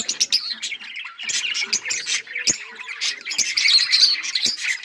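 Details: Australian parrots chirping in a group: busy high-pitched twittering with sharp clicks and occasional harsh squawks, several birds calling over one another in uneven bursts.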